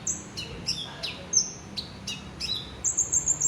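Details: Olive-backed sunbird singing in a cage, giving high sharp chips and short downward whistles spaced irregularly, ending in a bright buzzy high trill.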